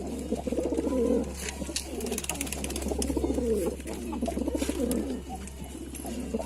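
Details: Layered, throaty cooing from Lalsara pigeons repeats in soft swells, with occasional clicks and a strong low hum throughout.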